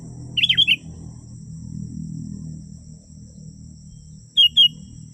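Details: Sooty-headed bulbul in a genuine recording meant to draw wild birds closer: a quick cluster of clear, slurred whistled chirps, then a tight pair of notes about four seconds later, over a steady high insect hum and a low rumble.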